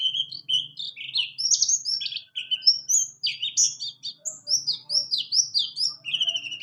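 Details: Rolling 'ngalas ngerol' song from a buxtoni white-eye, intended for tutoring and for birds that have gone quiet: bright upward-flicking whistles and short chirps tumbling quickly, over a soft low hum.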